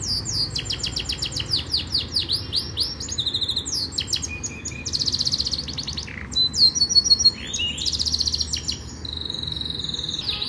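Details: A Rasmi Yorkshire canary sings a fast, unbroken training song of high rolling trills, sharp chips and sweeping whistles that change pattern every second or two.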